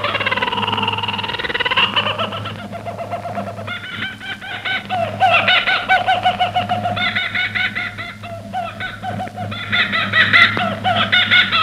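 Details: A kookaburra's laugh, heard on a Radio Australia shortwave broadcast from Shepparton, Victoria: rolling, chuckling bursts that rise and fall in quick repeated runs, carried over a steady low electrical hum.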